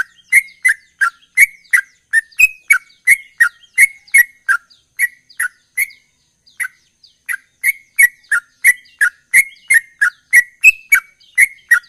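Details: Sooty-headed bulbul delivering a long gacor ropel sequence, claimed to trigger an immediate reply. Brisk repeated chirps at about three per second break off for a short pause, then resume with rising and falling slurred notes.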